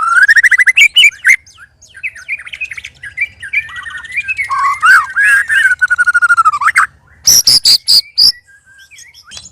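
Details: White-rumped shama (murai) song during sparring among three birds: loud harsh warbling chatter with varied rattling notes, a long wavering phrase, then a burst of high metallic clicking notes.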